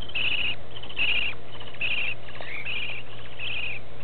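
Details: Baby budgerigar chicks give short, raspy peeps in steady bursts before being brought to their parents to be fed.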